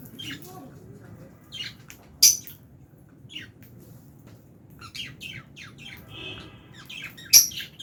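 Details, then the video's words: Fischer's lovebirds with albino lovebirds eating food in an aviary, chirping; scattered short high chirps and squeaks, two sharp louder calls, and a brief cluster of rapid chirps midway. "Lovebirds Chirping Sounds"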